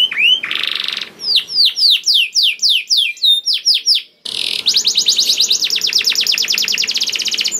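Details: Canary song used as a lure for other canaries; a short rising note and a buzzy burst, then sweeping whistled notes, a brief pause, and a long fast even trill.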